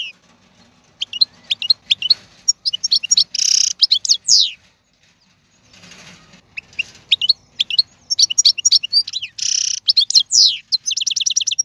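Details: A wild European goldfinch, called the season's strongest in 2022, sings bursts of rapid twittering, buzzy wheezes and falling slurs, separated by quiet gaps with faint low background rustling.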